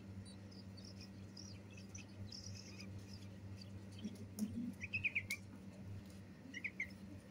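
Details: Young bulbuls being fed indoors give a quick run of sharp, high, stuttering chirps, then a shorter burst later, with soft rustles and a persistent low hum beneath.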